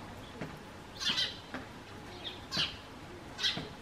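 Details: Eurasian tree sparrow perched on a garden bench calls out to a person at the front door. Three short, bright, chirruping bursts come at uneven gaps with faint ticks between them.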